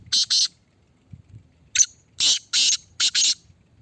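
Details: Caged Kala Teetar, the black francolin, under test: a paired harsh rasp, a pause, then a sharp note followed by four loud grating bursts in a rhythmic phrase, with a quiet background.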